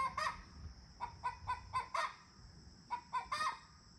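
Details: Morning chatter of domestic chickens: short sharp clucks, several within a second, then a pause and another quick burst, with a steady background hiss and a faint high-pitched hum.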